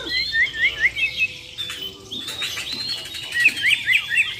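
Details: Borneo White-rumped shamas in a contest face-off: a series of high, sharp upslurred chips, then a noisy jumble of overlapping notes, ending in more quick high whistles.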